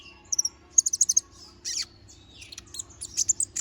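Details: Konin, the little spiderhunter, giving a fast series of five shrill clicking chips, a buzzy rasp, then more high chirps and a thin falling whistle.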